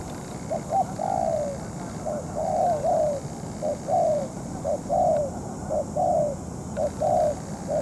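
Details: Moulting spotted dove decoy in a trapping contest with a wild dove lasting over two hours; mellow coos in short and long notes, uneven rhythm, over constant hiss.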